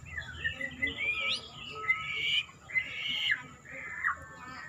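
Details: White-rumped shama (murai) in gaya sujud style giving a string of bright whistled phrases, some rising, some slurred downward, over a faint steady background hiss.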